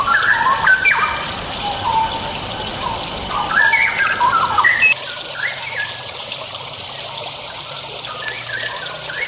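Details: Straw-headed bulbul song played as a lure for reluctant singers: bubbling, warbled whistled notes in quick cascading phrases for about five seconds, then quieter, sparser notes over constant hiss.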